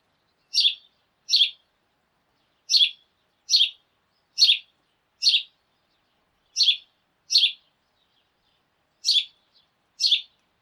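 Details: Sparrows in a morning flock, calling together while hopping about: loud, short, bright chirps in irregular groups of two, with pauses of about a second between groups. No other sounds.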